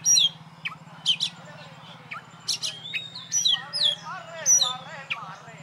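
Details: Caged champion oriental magpie-robin hung up alone gives sharp, sparse whistled chips and short upswept notes, later wavering trills, spaced by pauses, with a low hum and some human speech.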